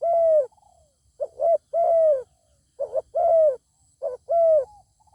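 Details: Zebra dove answering a wild bird of fine voice that stays aloft instead of fighting: rhythmic cooing, brief broken notes leading into long smooth hums, repeated about every second and a half.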